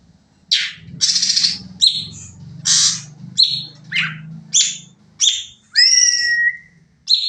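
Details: Sooty-headed bulbul rapid training song: loud, rasping, buzzy bursts and a few clearer slurred whistles, one after another, over a steady low hum in the background.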